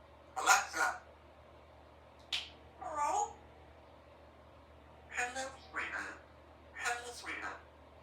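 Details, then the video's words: Female Congo African grey parrot, three years old, rehearsing words at home: pairs of clipped speech-like syllables, a sharp click and a wavering squeaky note. "A few minutes while Symon the African Grey Parrot practices her words and sounds"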